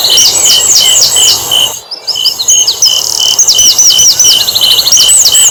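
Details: Asian brown flycatcher song meant to draw other birds into singing: bursts of rapid, high, falling chip notes broken by a short pause, over a constant shrill buzz of insects.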